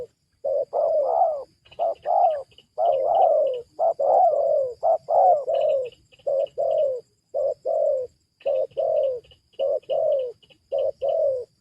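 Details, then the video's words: Spotted dove cooing as a lure for wild doves: a dense, nearly continuous series of low short-and-long coo pairs, the longer notes sliding downward, with faint high chirping from other birds. "cara pikat menurunkan tekukur huta"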